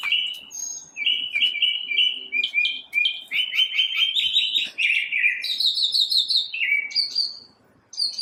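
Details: A single unidentified bird singing in the morning, producing a varied run of clear whistled phrases that step up and down in pitch, some trilled, some brief chirps, in a near-silent background.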